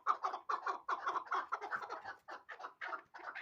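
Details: Hybrid partridge, a young bird from last year, calling in a fast series of separate, hoarse clucking syllables, about two or three per second, with short gaps between them and no other sounds.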